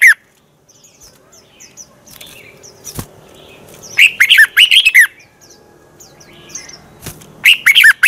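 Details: Red-whiskered bulbul morning song in the twisting-voice style, used to train and stir other bulbuls into fighting song; a burst of rapid warbled, whistled phrases midway and another at the end, with sharp clicks and quiet gaps between.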